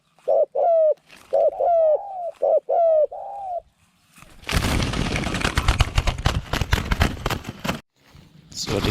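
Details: Caged spotted dove, a new decoy bird taken out for trapping wild doves with a pen trap, described as having a small voice and cooing well; mid-pitched rolling coos repeated in quick series, then loud rattling and clattering noise.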